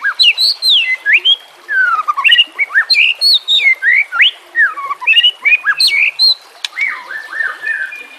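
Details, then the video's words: White-rumped shama, from a training recording for reluctant captive singers, delivering varied melodious phrases: looping rising and falling whistles, quick warbled notes and short pauses, rich and continuous. "Terapi Murai Malas Bunyi"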